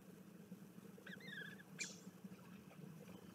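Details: Bermuda petrel recorded 6 April 2021 (or 4 June) gives one faint, wavering, moaning call lasting under a second, followed by a sharp click, over a steady low hum.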